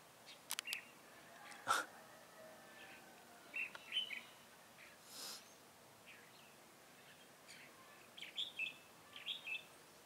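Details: Caged decoy red-whiskered bulbul at a bird trap, 7 January 2018: sharp clicks and knocks early on, then scattered lively chirped phrases and a quick closing flurry of notes.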